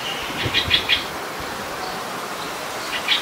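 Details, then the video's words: Streak-eared bulbul, a common resident bird of Ubon Ratchathani, Thailand, recorded 29 February 2020: a fast run of three or four sharp chirps, a pause, then another short chirpy burst, with faint rustling below. "นกปรอดสวน : Streak-eared Bulbul"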